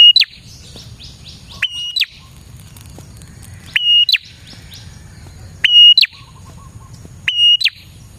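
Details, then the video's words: Prinia lure song: sharp flat whistled notes, each closed by a quick downward chirp and spaced about two seconds apart, with faint high ticking between phrases and a steady low hum. "suara burung prenjak gacor ini 💯% Cocok Buat pikat dan pancingan prenjak bahan"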